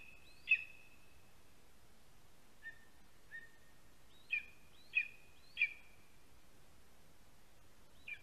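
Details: Lesser spotted eagle chick asking a parent for food near its nest in a Latvian spruce, July afternoon; scattered high whistled yelps, with a few lower, softer notes between louder ones, against a faint hiss.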